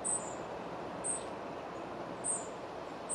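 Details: Spotted flycatcher at its nest in the Moscow region, feeding young and bringing up a pellet. Thin, very high, short tsee notes repeat about once a second over a steady, soft background hiss.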